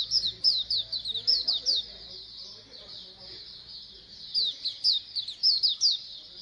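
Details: Oriental white-eye colony sound for encouraging birds to open their beaks and sing: rapid high twittering bursts, a quieter stretch of soft chatter in the middle, then loud downslurred chirps return, with faint low hum.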